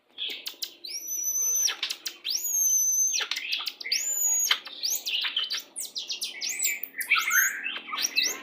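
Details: White-rumped shama singing "pastol" style as a pairing lure to bring on breeding condition; long piercing high whistles held steady, interspersed with sharp clicks and busy chattering phrases.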